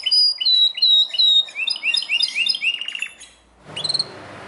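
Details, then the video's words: Belgian canary singing very loudly: sharp high whistled notes repeated in short series, then quick rising chirps and a buzzy rattling trill, ending in a burst of background noise with a few more high notes. "o canário belga canta muito forte"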